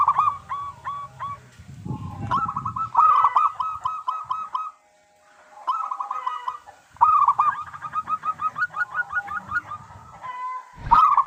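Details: Local zebra dove in persistent song, played to make other doves call: several phrases of fast, ringing, staccato coos separated by short silences, the last runs long and rhythmic, with brief low rustling noise between.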